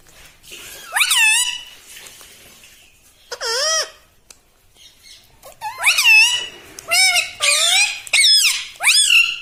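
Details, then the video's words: Pet parrot talking, said to say "mitthu mitthu" and "mummy"; repeated bright, wavering voice-like phrases, sparse at first, then a fast sequence of five in the last four seconds. "TALKING PARROT - MITTHU MITTHU - MUMMY BOLNE WALA TOTA"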